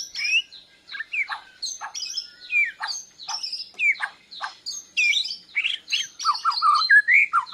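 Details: A Borneo white-rumped shama practising song as it responds to a lure, chest feathers spread: loud, rich phrases of swooping whistles, quick downslurs and scratchy notes, delivered almost without pause.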